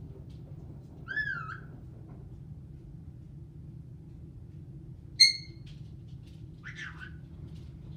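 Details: Caique parrot kept as a pet, described as singing, laughing, swearing and dancing, producing a clear bent whistle, then a sharp ringing note a few seconds later and a short buzzy call, over steady low indoor hum.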